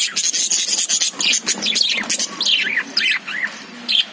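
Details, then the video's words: Several caged lovebirds chirp: a thin, high buzzy note at first, then short, bending, whistled chirps that rise and fall, arriving in quick separate bursts. "Love birds sound"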